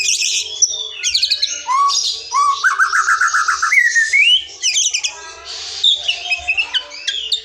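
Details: Forest white-rumped shama in full song, a lure meant to get silent or young shamas singing: a rich, fast medley of clear whistles, rising slurred glides and sharp chattering notes, with almost no pauses.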